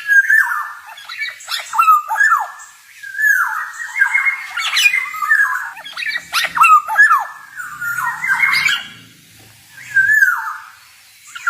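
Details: Male black-naped oriole in steady 'ngalas' song used as tutor material: a long run of raspy, nasal, downslurred phrases with clicking accents, pausing briefly between bouts.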